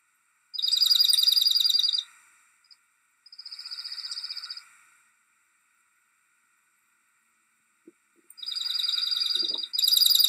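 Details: Dark-eyed Junco call at Riverwood: fast, dry, high trills of rapid ticking notes in four bursts of one to two seconds, with a few faint low clicks between.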